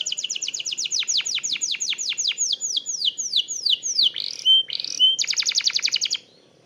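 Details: Canary lure song meant to prompt other canaries to sing: a long run of descending whistled sweeps repeated about twice per second, two short pure whistles, then a quick buzzy trill.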